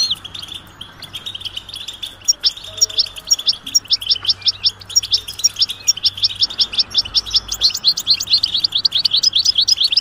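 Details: European goldfinch mating and readiness calls, played to stir silent males into singing; dense, rapid tinkling twitter, high and bright, running almost continuously with brief steadier stretches and quicker bursts near the end.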